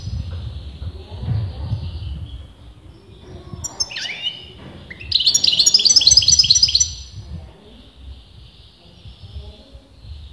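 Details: Caged European goldfinch whose sex is disputed by experienced breeders, singing continuously: a quiet start, then a bright burst of rapid high twittering trills in the middle, fading back to soft background hum.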